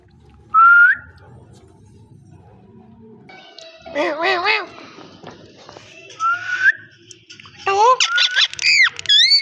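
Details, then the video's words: Parrot talking and whistling: an opening rising whistle, a wavering voice-like phrase, another rising whistle, then a quick sequence of sweeping harmonic notes and bright upward whistles. "amazing parrot talking and voice"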